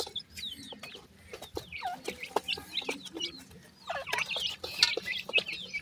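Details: Black francolin (kala teetar) chicks calling their mother with a busy stream of thin, high, rising and falling peeps and chirps over scattered clicks and taps.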